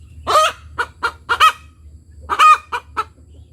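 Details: Ayam kampung hen cackling after laying an egg: a loud harsh drawn note, quick clucks, a second long cry, then more clucks, over a low hum.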